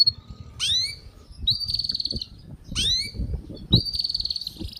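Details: Canary singing, a recording used to train young canaries to sing quickly: rising swept notes alternating with long buzzy trilled whistles, repeated twice, over soft low rumbling background.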